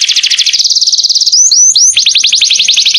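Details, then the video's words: Canary singing very actively; a loud rapid high trill of repeated notes, a few quick whistled upslurs, then a slightly lower fast trill of sweeping notes. "Burung kenari gacornya kelewatan"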